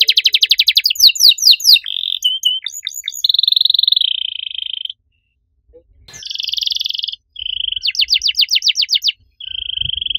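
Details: Canary in full, loud song with a unique cengkok style: fast rattling trills and buzzy tours, some with sustained steady whistled notes, breaking off in a silent pause midway before the rapid trills resume.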